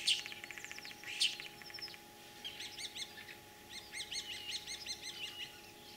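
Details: Common starling singing in spring in Kalyazin district, Tver region, Russia, 9 April 2023, mimicking other birds; varied high phrases, a rattling series and sharp notes, then rapid repeated chirping notes in steady series.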